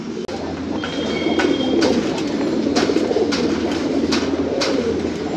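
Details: Fancy pigeons, bred from the wild rock dove, coo loudly together: a dense, warm rumble of overlapping coos with a steady low hum beneath and occasional sharp knocks.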